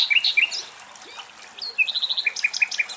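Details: In Greek countryside on a morning alongside a hunting common kestrel, a common nightingale sings high, sweet chirps and slurred whistles, then a quick run of about seven repeated notes, with faint birdsong behind.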